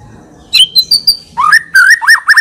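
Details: Brief white-rumped shama phrase from an ever-singing, richly varied full isian bird: a high clear whistle, two softer notes, then a quick string of looping, rising and falling whistles.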